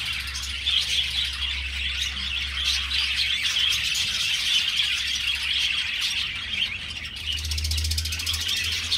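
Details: Budgerigar colony kept in an aviary, chattering steadily in rapid, irregular high chirps, with a low humming drone heard at the start and end.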